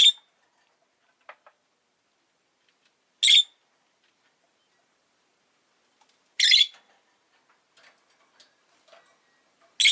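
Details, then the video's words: Rosy-faced lovebird giving loud, harsh, broadband shrieking chirps in short bursts about every three seconds, with a few faint clicks and ticks between them and an otherwise quiet background. "Lovebird Chirping Sounds"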